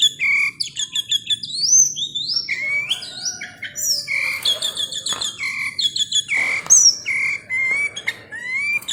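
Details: Tame sooty-headed bulbul giving a busy, varied song of clear rising whistles and rapid chirps, with repeated upward-sliding phrases and clicky notes, close and loud over faint background hiss.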